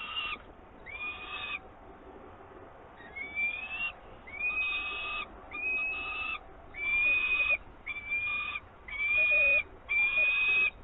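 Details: Peregrine falcon nest in Włocławek, 24 May 2022, with live prey brought in by an adult. A series of drawn-out, slightly upslurred harmonic calls grows louder and closer together toward the end, about one each second, over faint background noise.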